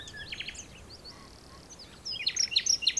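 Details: Common nightingale from the dunes of Texel, recorded by digiscoping. Soft scattered notes and faint whistles give way to loud, sharp notes repeated in quick succession near the end.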